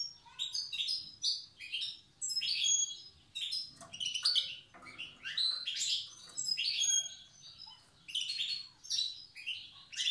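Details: European goldfinch from Tiaret singing in the wild goldfinch old-language style: bursts of bright, tinkling twitters and sharp high notes, broken by short pauses every second or two.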